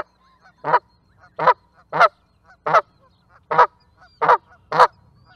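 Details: Canada goose honking loudly and clearly, seven rough, nasal honks spaced about every half-second to second in a quiet setting.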